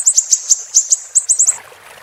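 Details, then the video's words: Siri-siri song meant for training cage birds: about ten quick, high, piercing chirps in one and a half seconds, then fading into quiet background hiss. "Masteran MB Super Pedas Level 10 II Burung Siri-Siri"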